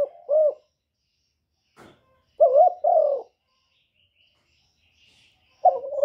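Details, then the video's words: Lure spotted dove calling to stir up wild doves: deep, rolling coos delivered in short bursts with pauses between, a soft knock midway, another coo starting at the close. "CU GÁY GỌI + GÙ + THÚC CỰC KỲ HAY, Cu Gáy mồi hay, tiếng cu kích bổi, cu đất kích mồi"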